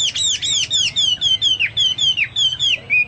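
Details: Chinese hwamei song said to resemble the cucak Papua or cucak mas. A clear whistled note that slides downward is repeated about four times a second, with steady and regular delivery throughout.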